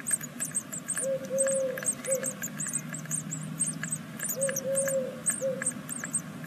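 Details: A busy chorus of high, thin, arched squeaks from great tit nestlings on the sixth day of a second brood, nest in Veszprém, Hungary. Two runs of soft, level mid-pitched tones and a low hum sit underneath.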